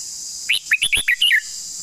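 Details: Red-whiskered bulbul giving a long song: a quick run of six bright, warbled chirps rising and falling, packed into about one second, over a steady high insect-like hiss.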